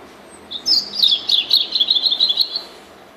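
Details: A European robin delivers one flowing song phrase of about two seconds, quick high twittering notes that start with a clear whistle and run on in a fast, jittery warble.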